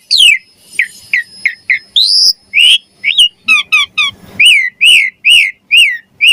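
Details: Javan pied starling song used to train songbirds, steady series of downslurred whistles, a brief high rising note, then quick stacked chirps and evenly repeated arched calls.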